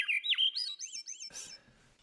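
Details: A Swainson's thrush (Catharus ustulatus) in the woods sings a fluty, swirling phrase of rapid notes spiraling upward in pitch, ending in a brief breathy burst.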